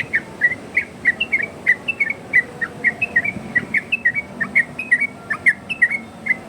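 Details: Yellow-vented bulbul in a varied-style song for luring other bulbuls: clear short whistles and slurred notes in an uneven rapid sequence, with a soft background hiss and a low steady tone.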